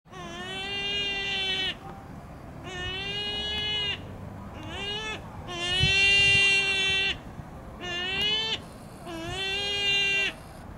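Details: Black-tailed gull at Goryokaku Park, Hakodate, Japan, on 20 July 2015, giving six drawn-out, nasal, cat-like mewing calls, each about a second long, with short gaps between them over a low background rumble.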